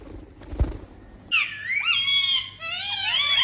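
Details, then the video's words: Pet Indian ringneck parakeets at playtime making happy sounds indoors: after a soft thump, long drawn-out harsh screeches with wavering tone, two extended calls nearly back to back. "Talking Indian Ringneck Parrots Making Happy Sounds"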